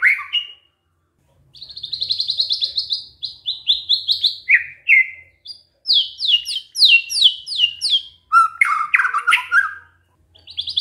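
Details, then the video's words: Murai batu, the white-rumped shama, delivering canary-style imitations: bright chirped series and rapid trilled bursts, high repeated notes around the middle, then lower sliding phrases, with a brief pause near the start and a soft low hum. "murai batu bongkar isian KENARI"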